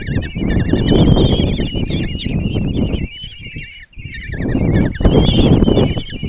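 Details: Common kestrel young begging in a nest box at Tiszalök, Hungary, fed breakfast by the female on June 26, 2024; quavering high squeals in bursts, dropping off around the middle before resuming, with steady rustling beneath.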